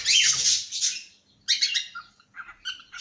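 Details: Cockatiel kept in a cage lets out a long harsh screech, then a second rasping call and a few softer, lower chirps.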